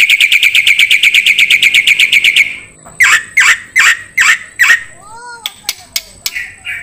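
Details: Black-winged starling song used to train songbirds: a fast ringing trill for two seconds, then slower harsh notes, a few downslurred whistles and scattered clicks.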